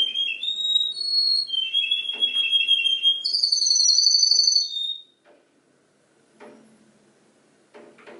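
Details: Canary singing a varied mimicking song said to copy ten other birds' songs: sustained pure whistled notes at shifting pitches, some trilled, for about five seconds, then quiet with faint clicks.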